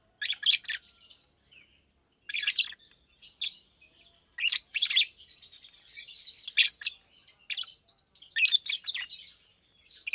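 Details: Chirping and singing in daytime from a caged pair of almost two-year-old Fischer's lovebirds, blue and pastel green; sharp high twittering bursts about every two seconds, separated by brief quiet gaps.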